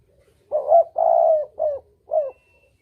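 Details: Spotted dove call used as a hunting lure, double 'kuk' style: four low mellow coos, the second long and drawn out, the others short and slightly falling, in about two seconds, clean and quiet behind.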